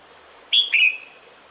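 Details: A single two-part whistled call from a female red-whiskered bulbul calling the male in the breeding season: a clear high note sliding into a slightly lower, drawn-out slur.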